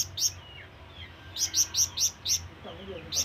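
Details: Scarlet minivet (flamboyan) calling toward companions or rivals: two chirps, a pause, then a quick burst of five shrill, high chirps and a final one.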